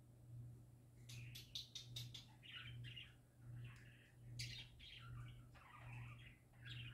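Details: Singing pet parakeets: a few clicks, then soft rambling warbles and squeaky chirps rising and falling in phrases, with a pulsing low hum beneath.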